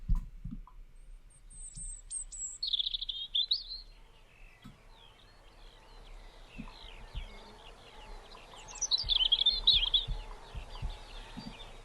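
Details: A European robin in a garden sings two high, thin phrases of sweet, tinkling warbles separated by a pause, over faint background hiss and low thumps.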